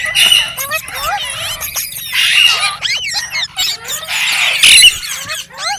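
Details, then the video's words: Green parrot, a ringneck, chirping: dense bursts of shrill, high squeaky chirps and rising and falling whistled notes, uneven in rhythm, with a faint low hum underneath. "Green Parrot Chirping Sounds /Voice | Mitthu Ki Awaaz"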